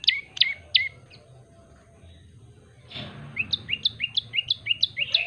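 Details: Yellow-bellied prinia calling in a fast burst of sharp chirps, a short quiet gap, then a soft rustle followed by a quick run of rising, slurred high notes.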